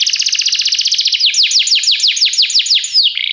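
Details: Canary song for training another canary to sing: a fast, high rolling trill gives way to a slower series of sweeping downslurred notes, then ends on a short low buzz.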